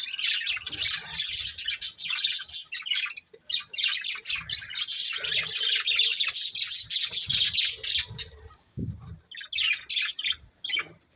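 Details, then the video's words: Pet budgerigars, a breeding pair, keep up a fast stream of high chirps and warbling squawks, pausing briefly twice before resuming with sharp tweets. "Cute Budgies Chirping Sounds"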